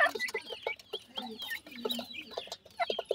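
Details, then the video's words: Grey francolin family, chicks feeding: bursts of soft low clucks alternate with high, thin, curving peeps and a brief buzzy note, calls coming in quick irregular clusters. "teetar chicks feed,grey francolin bird family"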